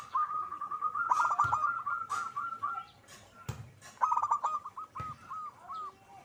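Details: Zebra dove in full lively song: a long run of fast, stuttering coos, then a second phrase that slows into separate falling notes, broken by dull thumps.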